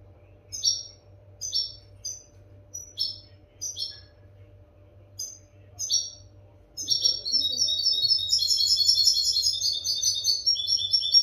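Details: Tutor recording of European goldfinch for captive birds: a run of spaced, clipped twittering notes gives way after about seven seconds to a continuous, rich, liquid and buzzy warbling phrase, over a faint steady hum.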